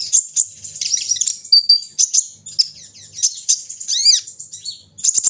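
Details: Kolibri ninja sunbird singing during a morning dew-airing session: a very high, hurried twittering of thin chips, short whistles and buzzy notes, including a quick downward-sweeping trill, in bursts separated by brief pauses.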